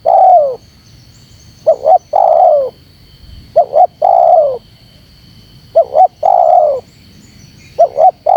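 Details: Spotted dove call used to provoke wild spotted doves. A clipped double note runs into a drawn-out, downward-gliding coo. About four phrases come roughly every two seconds in a quiet background.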